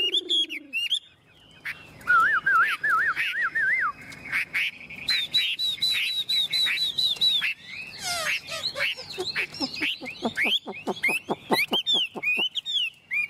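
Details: Caged, tame Chinese hwamei giving a long varied song: wavering trills, bright sustained whistles, then accelerating series of sharp repeated notes and slurred loud phrases.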